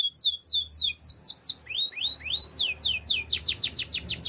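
A Spanish Timbrado canary sings quick rolls of high, sweeping notes, each repeated several times a second before shifting to a new rising or falling phrase.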